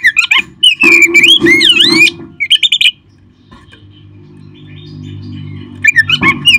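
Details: Oriental magpie-robin (kacer), caged, in a recording meant to stimulate other caged birds to sing: rapid, varied whistled phrases with swooping slurred notes for three seconds, a quiet pause with low hum, then brisk notes resume.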